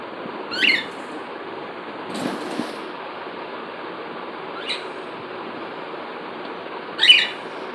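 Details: Cockatiel calling: four brief, sharp upslurred notes spaced a few seconds apart, the last one loudest, over a steady broadband hiss.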